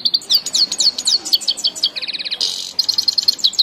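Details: Singing grey-headed goldfinch in Tajikistan, a rapid run of high, slurred twitters breaking into a dry buzzing trill, then a short burst of noise and more quick chirping notes.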